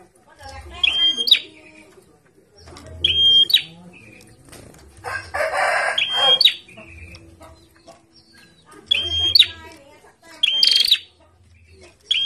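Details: Caged bar-winged prinia set out in the sun and vocalising actively, giving short sharp whistled notes with harsh edges in bursts every two to three seconds, between loud broadband rustling and fluttering noises and low thumps.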